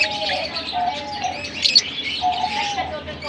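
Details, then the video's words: Lovebirds from Larkana in a steady stream of high, scratchy chirps and twitters, with short clear whistled notes lower down at intervals and a constant low hum beneath. "Lovebirds sing Sweet Serenades"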